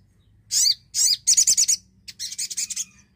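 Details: Javan cochoa singing vigorously, used to get silent birds singing: two harsh, sweeping, high buzzy notes, then a fast stuttered series of raspy pulses and a second quicker chattering run.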